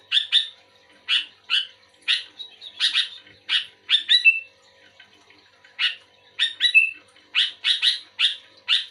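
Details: Sooty-headed bulbul singing actively in response to another bulbul: bursts of harsh, buzzy chirps, often in pairs, repeated every half second or so, with a few short rising whistled notes mixed in.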